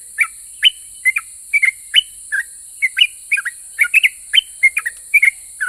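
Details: Sooty-headed bulbul, a lively singer whose song is said to make other bulbuls answer: brisk run of short whistled notes, some rising and some falling, given about twice a second over a steady high hiss.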